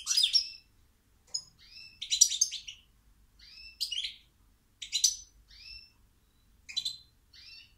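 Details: Goldfinch singing in short separated bursts of liquid twitters and chirps, each lasting under a second, with several upward-sliding tweets between them and quiet gaps.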